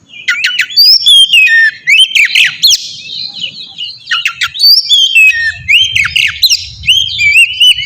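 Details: Oriental magpie-robin singing a lure meant to set off answering birds: loud, fast bursts of chips and whistled slurs, repeated in varied phrases, with a low hum in the background.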